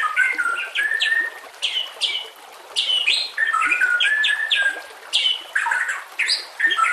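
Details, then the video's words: White-rumped shama 'nembak' training song against a busy natural background: repeated sharp downslurred strokes mixed with lower whistled notes, in bursts with short pauses. "masteran nembak kasar cocok untuk murai batu Kacer dan cucak ijo Murai Batu"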